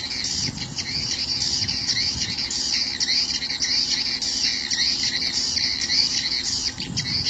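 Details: Swiftlet lure call of the "sp rambut lmb" type, used in swiftlet farming: dense, buzzy high chirps run almost without pause, each a short rasping burst, over a faint low rumble throughout.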